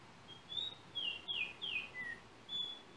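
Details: Yellow oriole of Trinidad, captured on a cell phone: clear, high whistled notes, several slurring downward, given as about six loose phrases across three seconds over faint background hiss.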